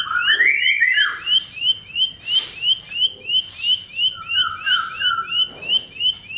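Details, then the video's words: Bar-winged prinia song, used as a lure to get silent, stalled or sluggish birds singing: clear, whistled, rising notes repeated about three times per second, with a lower whistled phrase and faint hissing bursts behind. "BERBAGAI ISIAN KICAUAN CIBLEK"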